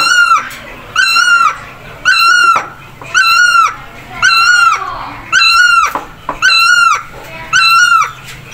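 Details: Great barbet giving a loud, nasal, wailing call, repeated eight times at about one-second intervals. Each note lasts about half a second, holds a steady pitch and carries a strong stack of harmonics, with short silent gaps between notes.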